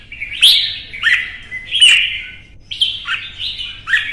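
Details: Red-whiskered Bulbul held in a cage during a fierce song contest, delivering about five quick warbled phrases, each ending in a downslurred whistle, roughly one every second.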